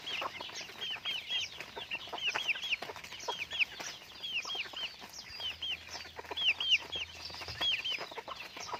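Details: Raised pet chickens peep continuously in a busy chorus of high, sliding notes. Short bursts of several peeps run together, and a low steady hum rises in the background partway through.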